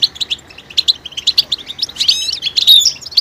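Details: European goldfinch calls said to stimulate males to sing and signal mating readiness: rapid high twittering chirps and tinkling notes in quick irregular bursts, with a short buzzy rattle near the two-second mark.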